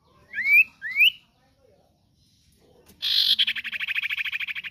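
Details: Common iora (sirtu/cipoh) singing for cage-bird training: two rising whistled slurs, a pause, then a fast buzzy trill of repeated pulsed notes.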